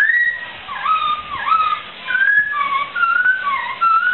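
A laughingthrush sings a rich run of clear whistled phrases, sliding up and down in mid pitch, with short pauses between bursts.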